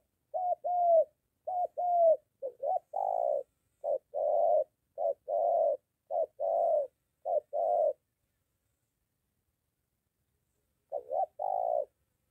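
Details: Spotted dove calling near a house in Gia Lai, Vietnam, where a molting decoy meets a wild bird. About eight seconds of rhythmic low coos in short-long pairs, then a pause of a few seconds and one more paired coo.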